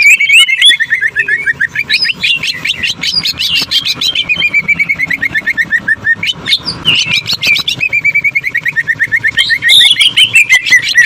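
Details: Greater green leafbird giving jamtrok tembakan, the sewing-machine song: a long, relentless stream of rapid stuttering notes running in steady rhythm, with wavering whistled phrases woven through and brief breaks.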